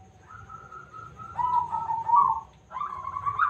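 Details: A loud local zebra dove used as a lure to draw others into song gives a steady cooed note, then rolling, rising warbles, then another trilled phrase, with faint low background rumble.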